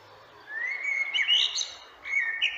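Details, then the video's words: A common blackbird sings a mellow, slightly rising fluted phrase that breaks into a high, squeaky twitter, then starts another phrase. "Das Lied der Amsel"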